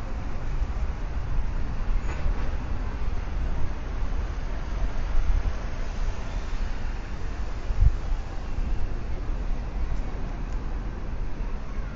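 Steady low rumble of passing vehicles or a train in an urban setting, with no animal voices present.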